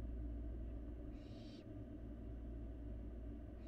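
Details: Barn owl fledgling feeding in an empty nest box, Florida live camera; one breathy rasping screech lasting about half a second, the start of another at the end, over loud low hum.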